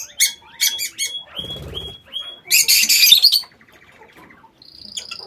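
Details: Captive lovebirds in an aviary chatter with piercing high squeaks and thin whistled notes, building to a dense harsh burst near three seconds before quieter chirps trail off.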